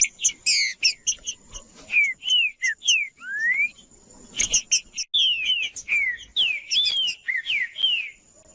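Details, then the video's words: Green-winged saltator song, played to warm up and stimulate a quiet captive saltator into singing: loud, rich whistled phrases of slurred, rising and falling notes, some sharp chirps, brief pauses between bursts, and a steady thin high tone throughout. "MELHOR ESQUENTAR TRINCA FERRO FRIO COM TRINCA FERRO CANTANDO MUITO"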